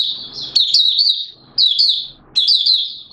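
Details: Oriental white-eye of Malaysian stock, a hobby bird singing 'buka sing' in Singapore on a warm, humid day with sudden showers, 29 March 2023: three high, thin twittering phrases of quick slurred notes, each about a second long.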